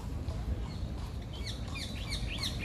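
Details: Very loud parakeets in María Luisa Park, Seville, give harsh, squawky chirps in quick bursts over a steady low rumble of background noise.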